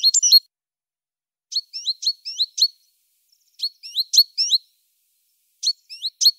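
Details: Great tit singing short clusters of high, chiming two-part notes, each cluster of three to five notes separated by about a second of quiet, with a clean background.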